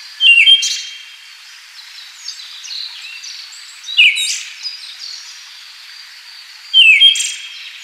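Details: Siberian thrush calling three times at intervals of about three seconds, each a sharp descending whistle trailing into high ringing tones, over steady background hiss.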